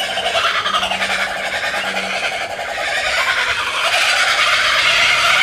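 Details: A kookaburra family of two adults and two mature young gives a harsh, rapid cackling chorus, about three or four notes a second, swelling louder toward the end; unusual behaviour for them, and the owner is unsure whether it is play or aggression.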